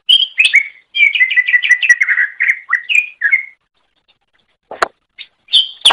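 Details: Greater green leafbird, recorded for training other birds to sing, gives a rapid series of repeated whistled notes over about three seconds. A pause and a single sharp click follow, then a final pair of high whistles.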